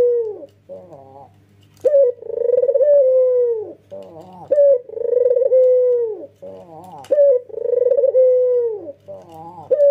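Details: Red-eyed white male Barbary dove gives repeated nodding coos, each a brief sharp opening note followed by a long vibrating hum that falls away, about every two and a half seconds, meant to prompt other doves to call.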